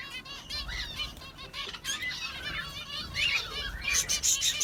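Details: Sparrows chirping busily: many overlapping short, bright chirps and trills from several birds at once, with fluttering wingbeats and a low rumbling background.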